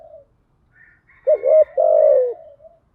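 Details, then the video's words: Spotted dove lure coo from a female used to draw in males: a single phrase of a brief rising note, a short break, then one long steady coo that fades, with faint murmurs. "Tiếng chim cu gáy mồi giọng lôi cuốn hấp dẫn đủ bài[ THÚC GÙ , GÁY GỌI ]"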